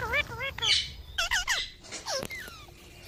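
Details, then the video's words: Pet parrot mimicking speech: a quick series of wavering, word-like tonal syllables with a few sharper squawky notes, over steady low background noise. "Amazing Parrot Talking Sounds Videos | Parrot Voice| Mitthu Ki Awaaz | Parrot Ki Awaaz"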